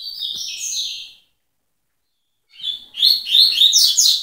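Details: Double-collared seedeater performing tui-tui song, a stepped whistled phrase ending, a pause of over a second, then a new loud phrase of rapid sweeping twitters.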